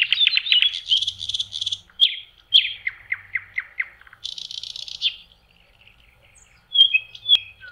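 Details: Spring May song of a common nightingale at a lake: a harsh chattering start, a descending series of repeated notes, a buzzing rattle, then clear high whistles.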